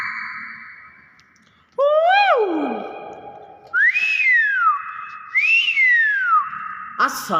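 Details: Nias hill myna giving loud, clear whistles: a long steady tone, then rising-and-falling slurred whistles with strong overtones, each about a second long, repeated several times in a small room.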